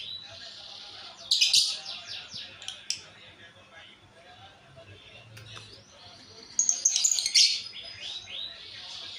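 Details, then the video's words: Female lovebird of a pair giving a strange call: two bursts of rapid, high, scratchy chattering notes, each lasting about a second, separated by quieter twittering. "SUARA ANEH LOVEBIRD BETINA PASANGAN"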